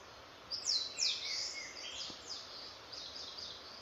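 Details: Unidentified songbird singing: high bright whistled notes and downslurred sweeps, a few quick phrases after half a second of quiet, over a steady soft hiss.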